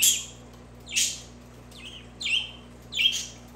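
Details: Budgerigar sounds played for pet budgies indoors: four separate short chirps, bright and downward-sliding, spaced about a second apart, with a steady low hum beneath.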